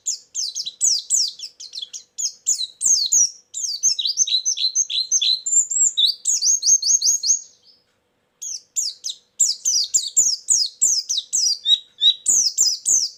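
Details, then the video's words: White-eye lure song used for trapping birds: a rapid, continuous stream of high, thin chirps and down-slurred twitters, many short notes every second, with a brief pause near the middle. "suara burung pleci pikat+isian"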